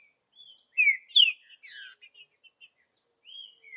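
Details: Wild Green-winged saltator singing the Vidigal song style in the bush: a short run of clear whistled notes, some sliding downward, then a pause and a final pair of falling whistles.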